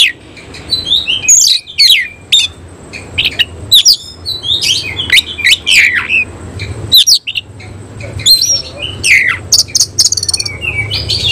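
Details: Caged oriental magpie-robin, Cililin type, singing with its tail fanned; dense bursts of high whistles, chattering sweeps and buzzy trills in several long phrases, over a low background hum.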